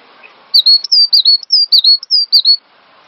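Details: A cinereous tit sings for a songbird-training master track: a rapid sequence of high whistles alternating downslurred and level notes, about ten in two seconds, over quiet background.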